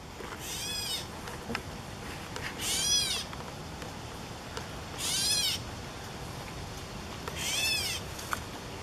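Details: A catbird recorded on 14 July 2014 gives its harsh, grating, cat-like mews, repeated every two to three seconds.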